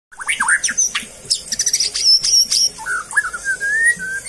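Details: Bred captive white-rumped shama singing a loud, varied song of sharp chirps, fast trills and whistled slurs, ending in a long rising whistle.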